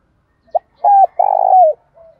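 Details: Morning cooing of a spotted dove kept as a decoy to call in the flock: a brief clipped note, a steady level coo, a rough rolling phrase ending in a downward slide, then a faint trailing note.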